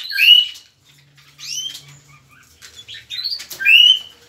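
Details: A mockingbird recorded in Soacha, delivering short whistled phrases that slur downward and bend upward, separated by brief gaps, with one faint low hum in the background.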